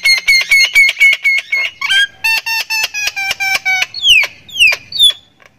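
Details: Thai Javan myna giving its laugh-like cackle: a fast, steady train of ringing nasal squawks that drops in pitch partway through, followed by three loud downward-swept screeches.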